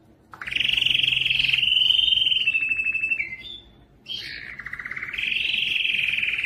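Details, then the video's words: Canary singing for stimulating males to sing: a long loud rapid trill, a short pause, then a lower buzzing trill rising back into a steady fast roll. "مجموعة صوت الكناري لتحفيز الذكر على التغريد"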